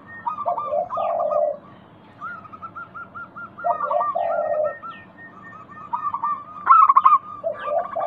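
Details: Lure song of a local zebra dove, meant to make silent doves respond: low rolling coos lead into strings of short, even, higher notes, ending with a louder burst of rapid coos.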